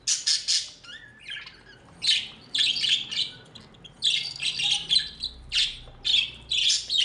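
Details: Budgerigars bred as house pets chatter in rapid bursts of bright, scratchy, high chirps, about a dozen short clusters in quick succession, with a soft background hum.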